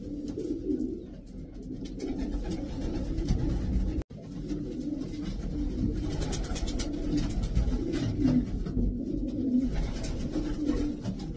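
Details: Indoors, twelve racing pigeons of Davy Van Roy descent keep up overlapping guttural coos, some swelling and dipping, with sharp clicks and a brief dropout near the middle.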